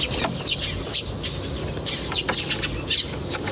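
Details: Chirping of birds in nature, with scattered bright high chirps and brief twitters at irregular intervals against a constant low hum.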